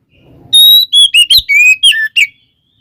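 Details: Fighting song of the Oriental magpie-robin, aimed at provoking other kacer; after a faint rustle, a short series of clear whistled notes and slurs, some rising and some dropping, then quiet.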